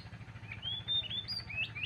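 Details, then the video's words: A magpie-robin sings in the morning, a short run of sweet, high whistles, some sliding upward and others held steady, over a faint low background hum. "kicau pagi murai/chim ác là hót buổi sáng/morning chirping magpie"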